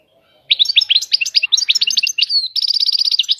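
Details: A European goldfinch delivers a continuous, fast batbata song, jangling, slurred twitters running straight into a rhythmic buzzy trill of repeated notes over about three seconds.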